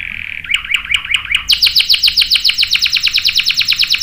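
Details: Lure song of a canary, used to prompt other canaries to answer with long rolling song: a steady high tone with chipping notes, then a rapid run of repeated downslurred notes, several per second.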